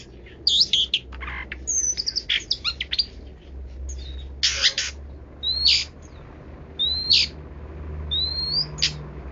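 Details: Long-tailed shrike in a rich, varied song: quick bursts of high chirps, sharp clicks and short rising whistles, some in fast clusters and others spaced a second apart, over low steady background hum.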